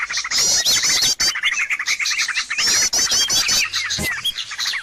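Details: Busy flock used as a lure to draw birds: fast high twittering, looping whistled notes and trilled bursts overlap continuously, broken by brief sharp clicks.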